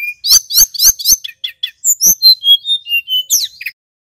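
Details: Male Little Pied Flycatcher singing in full voice as a lure to raise arousal and aggression in other flycatchers: four rapid sharp rising notes, then short slurred chirps and a run of thin high whistles, on a clean, quiet background.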